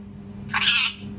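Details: A single loud, harsh parrot scream about half a second long, rough and noisy with a slight rise in the middle, set against a constant low background hum.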